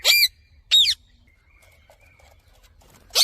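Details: Captive Indian ringneck parrot, a talking pet bird, giving three loud, harsh, ringing screeches, two close together at the start and one more about two seconds later, with quiet background between.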